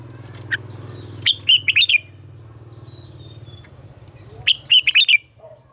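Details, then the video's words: Red-whiskered bulbul in captivity singing morning song for training, two rapid phrases of bright, bubbling warbled notes about three seconds apart, a thin high whistle between, with a low steady hum beneath. "Luyện giọng cho chào mào hót sáng - ép chào mào hót âm kép già rừng hay tuyệt!"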